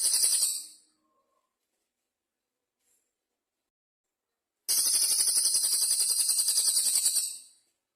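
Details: Cililin bird's original voice, sung in bouts separated by pauses: a short trailing end of one high, shimmering trill, then about four seconds of silence, then a fresh burst of rapid, pulsing, very high trilling lasting nearly three seconds.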